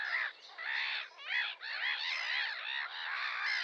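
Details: Sandwich terns (Thalasseus sandvicensis) give harsh, grating, rasping calls in quick overlapping bursts, several birds calling almost without pause; a rare inland vagrant record from the Czech Republic.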